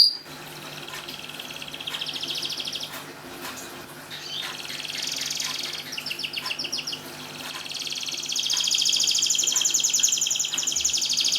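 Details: Canary song to encourage mute canaries to sing: varied phrases of soft rolling trills, a few clicks and chirps, a short run of crisp notes, then a long high sustained trill rising in volume.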